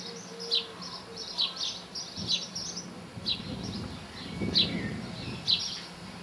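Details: Common linnet song: a run of short twittering, chirpy notes high in pitch, roughly one burst per second, with a low background hum throughout.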